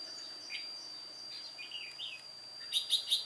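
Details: Red-whiskered bulbul, white-cheeked old decoy singing on its own during trapping on 1 July 2018; soft warbled notes, then three sharp high chips in quick succession at the end.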